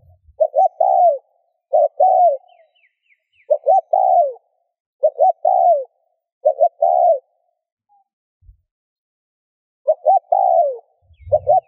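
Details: Spotted dove cooing to stimulate other doves into cooing: evenly spaced phrases of two short notes and a longer descending coo, about seven in all, with a low thump near the end.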